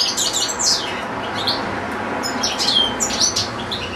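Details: Caged European goldfinch singing among goldfinch-canary hybrids: scattered high twittering notes and short liquid trills in loose bursts, over a steady background hiss.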